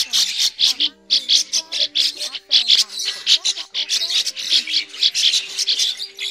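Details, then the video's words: Migrating red-billed starlings in a lure recording for net trapping: dense harsh chattering and squeaky notes in rapid bursts, several birds overlapping almost continuously, with faint steady low tones underneath. "Tiếng Bẫy SÁO ĐÁ mỏ đỏ di cư"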